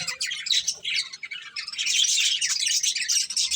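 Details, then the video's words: Budgies at a meal of corn give a continuous, scratchy stream of high squawks and chirps that grows denser and louder toward the end. "Cute Budgies Enjoying Eating Corn | Love Birds Chirping Sounds"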